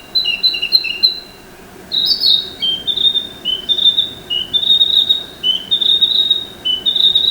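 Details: A forest Narcissus flycatcher sings in spring to early summer: clear, high whistled phrases, each a lower note slurring up to a higher one, repeated about once a second after a few quick opening notes.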